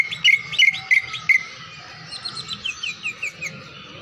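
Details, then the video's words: Champion greater green leafbird in a full-isian masteran recording: four loud, sharp chirps about every third of a second, then a softer run of quick descending notes over a thin steady tone and low hum. "Masteran Cucak Ijo Full Isian Burung Juara"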